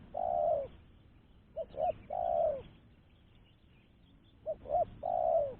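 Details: Spotted dove luring call, a clear repeated coo phrase: each phrase has two brief hoots and a long, mellow, gently falling coo, given three times with a pause of about two seconds between phrases.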